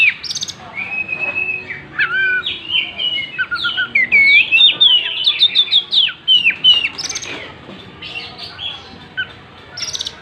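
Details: Oriental magpie-robin singing actively while spreading its tail: a fast, varied stream of clear whistled and warbled phrases, some rising and some falling, mixed with sharp chirps and brief buzzy notes, with no pause for ten seconds.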